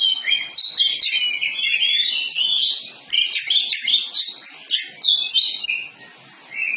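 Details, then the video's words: Kacer poci Oriental magpie-robin song used to prompt another bird to open its tail and sing: a continuous stream of bright, varied whistles and chatters, broken by short pauses between bursts, sharp and high-pitched throughout. "pancingan masteran agar burung kacer poci cepat buka ekor gacor ngobra"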